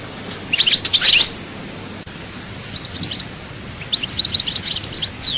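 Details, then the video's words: Singing European goldfinch of the Chaayba style, Souk Ahras, Algeria: a loud jangling burst, a pause, then a lively stream of high twittering notes ending in a downward slurred whistle. "chant chardonneret souk ahras chaayba"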